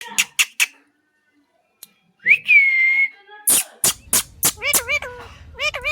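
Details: A talking pet parrot gives three harsh squawks, a long sliding whistle, then rapid, nasal, word-like syllables repeated about twice a second.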